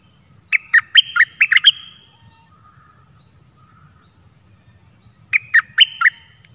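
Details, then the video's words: Free-flying cream-vented bulbul responding to a caged decoy but not perching on the cage, possibly an escaped bird. One bubbly phrase of six notes, a few seconds of near silence, then a shorter four-note reply. "Burung merbah lekir gacorbahanan"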